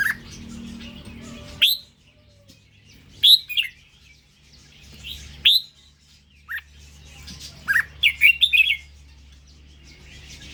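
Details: Indonesian-strain red-whiskered bulbul delivering bright, clipped chirps and short whistled phrases at irregular intervals, ending in a quick run of four or five rapid notes; a faint low hum in the background.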